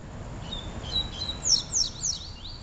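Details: Song of the Double-collared seedeater, Peteleco versus Desejo styles: a sustained thin whistle followed by three evenly spaced sharp descending notes and a final rising slur, over steady faint noise.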